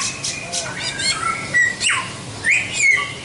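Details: Short passage of white-rumped shama song, recorded as a tutor track for training songbirds: a few drawn-out whistles, one long downward slur and a rising note, with soft chatter in between.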